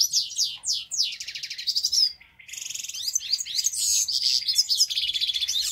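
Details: A grey-crowned goldfinch in the city of Istaravshan twitters in a fast, liquid jumble of high tinkling notes and trills, with one brief pause midway.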